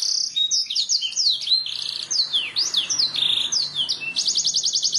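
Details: Training canary song for getting birds to sing quickly: busy sequence of swooping high whistles and buzzy notes, ending in a fast trill of evenly repeated pips.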